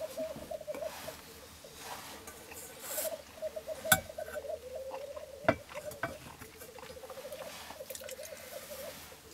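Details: Black grouse cocks, three of them, displaying at a lek in Florarna at early morning on 17 April 2013; overlapping bubbling rookoo phrases carry on steadily, with a couple of sharp clicks and faint hiss bursts.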